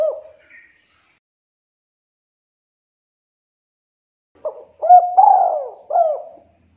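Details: A spotted dove calling a rival in 'kuk 2' style, recorded as a lure. A single hollow note opens, then a long pause follows. Near the end comes a full phrase: clipped hoots, a stretched buzzy coo, and a closing short coo.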